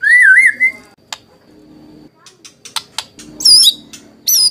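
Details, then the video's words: White-rumped shama lure song for prompting other shamas to reply: a clear wavering whistle, sparse clicks and soft chips in between, then two brief high looping whistles. "Pancingan NGERI Murai Batu Langsung Nyaut Cocok Buat Masteran"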